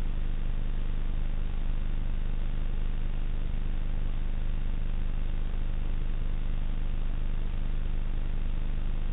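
Constant low engine or wind rumble, muffled above the midrange, continues throughout without any animal sound.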